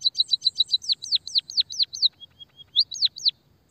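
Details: White-headed munia singing, meant to lure and stimulate other munias: a rapid run of sharp high chirps giving way to slower downward-swooping notes, a short soft whistle, then two more swoops.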